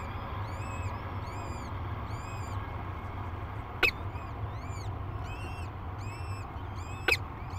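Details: Peregrine falcons at a cliff-face nest near La Crescent, Minnesota, above the Mississippi River, on the day two chicks hatched. Thin arched peeps repeat in loose series at roughly half-second spacing, with two sharp clicks over a steady low rumble.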